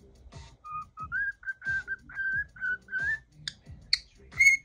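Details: Indoor pet cockatiel, angered by something caught around its head, repeats brief steady whistled notes, ending with two sharp chirps and a bright rising whistle, with low tapping thumps in between.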